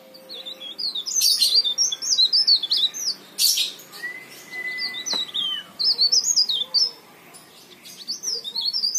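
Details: Leaf warbler in full song, intended as a lure to get other leaf warblers singing; high thin zigzagging trills repeated in several short bursts over faint background noise and an occasional low tone.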